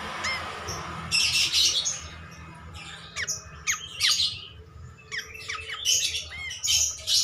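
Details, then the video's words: Cream-striped bulbul, a vigorous singer recorded as a master: harsh scratchy bursts mixed with quick downward-sweeping calls and short rising notes, spaced unevenly across the recording. "MASTERAN KAPAS TEMBAK GACOR"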